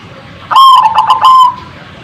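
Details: Zebra dove call used to provoke other birds into answering: a loud, mid-pitched cooing phrase of three pulsed notes over about one second, then quiet background.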